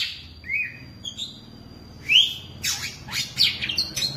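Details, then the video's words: Oriental magpie-robin kept caged for ten years gives a short whistle, a long thin high tone, a rising whistled slur, then a run of sharp, scratchy bursts and chirps, with a low steady hum behind. "Chòe than 10 năm lồng"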